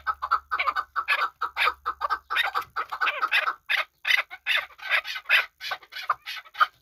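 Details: A chukar partridge from Kabodiyon, kept for hunting, delivers a long, dense stream of grating chuk notes that grow louder and harsher toward the end, with a low hum fading out early.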